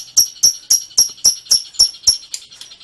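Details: Lovebird in ngekek song, a rapid series of eight or nine sharp, very high chirps repeated about four times a second, fading at the end.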